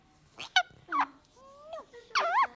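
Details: Talking pet Indian ringneck parakeet indoors at night, known for copying its owner's "No": a few short nasal squawks, a thin level whistle, then a wavering, warbling harmonic phrase, with no other sounds nearby.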